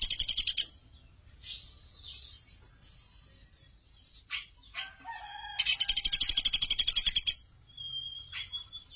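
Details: High-pitched Sunda pygmy woodpecker trill from a master song used for training songbirds. A short rattle opens, quiet varied calls follow, then a longer run of rapid sharp notes and a thin steady whistle at the end.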